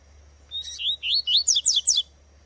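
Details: Wild female double-collared seedeater giving a fast run of six or seven loud, rising, slurred chirps, the last notes sweeping highest, with a soft steady high tone behind.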